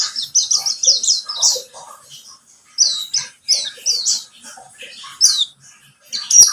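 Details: Singing pleci buxtomi white-eye, a lure recording to make birds sing: a quick series of high chirps, a quieter stretch, then clipped whistled notes returning in short bursts, ending with a click.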